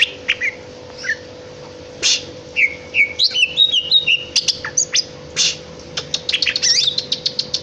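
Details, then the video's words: Melodious song of a greater green leafbird: rich whistled phrases mixed with crisp clicks and chips, notes swooping between low and high, ending in a fast rattling series of short ticks, with a constant background hum. "KICAU MERDU CUCAK IJO"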